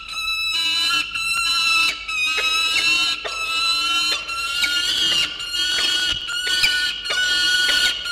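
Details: Peregrine falcon at the Orange, NSW nest site, 4 August 2021 around 9 am, an offspring calling to its father with harsh, nasal, wailing calls, drawn-out notes roughly once a second in a near-continuous, insistent stream.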